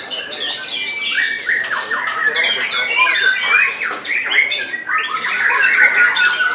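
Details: White-rumped shama competing in a bird singing contest in Semarang, Indonesia, on 3 July 2022. It delivers a rich mix of long pure whistles, downward slurs and rapid chatter, dense and unbroken, over other birds.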